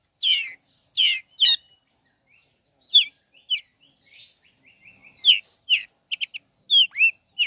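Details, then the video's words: Long-tailed shrike song meant to provoke other shrikes: varied short harsh and whistled notes, some slurred downward, delivered in irregular bursts with brief pauses. "Bikin Cendet Loyo Kurang Emosi Agar Segera Terpancing Emosi &Ikut Bunyi"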